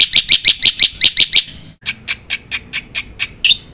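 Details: Black-winged myna giving a strong mimicry-filled song: seven quick bright chirps, a sudden break, then a steady string of rasping high notes ending in one clear whistle.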